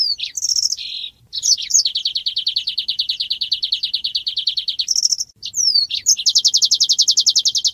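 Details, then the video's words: Asian golden weaver singing energetically, mixing high slurred whistles with long dry rattling trills of rapid pulses that drop in pitch, then a higher trill starting near the end. "SUARA BURUNG MANYAR GACOR"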